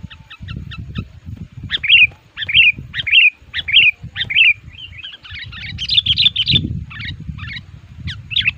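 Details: Sooty-headed bulbul decoy for luring wild males, described as agitated and actively pressing rivals; clipped chips, then repeated liquid warbled phrases about every half second, over a steady low rumble.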